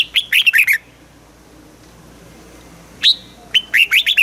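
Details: Red-whiskered bulbul in Thailand singing southern master-style phrases meant to rouse caged birds and teach young ones: a quick run of bubbly whistled notes, a pause of over two seconds, then a sharp note and another lively phrase.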